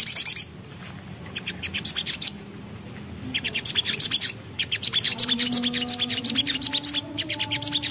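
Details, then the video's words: Javan black-capped babbler in ngriwik style, singing lively bursts of rapid, high, dry ticking notes, several per second, in bursts broken by short pauses, over a faint low drone. "Suara Nembak Ngriwik Burung Sogok Ontong Gacor"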